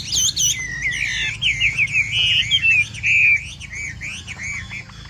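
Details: Chinese hwamei song praised as sweet and flowing like rain, with looping whistled phrases, a sustained bright note mid-way, then a string of quick rising-falling notes repeated nearly twice a second, low hum beneath.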